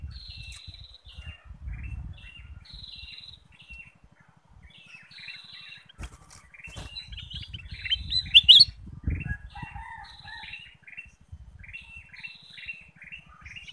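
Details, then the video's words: Bulbul lure song to make other birds sing: short whistled phrases of several notes repeated every second or two, with one louder bright note midway and a low rumble beneath. "pancingan kutilang emas"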